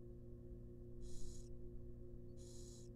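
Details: Two drawn-out, rasping hisses from wild barn owl nestlings in a nest box during a rabbit feeding, separated by about a second of low humming background.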